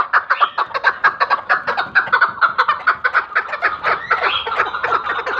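A chukar gives a rapid run of harsh, clucking chuck notes, about two per second, loud and steady with no other sounds.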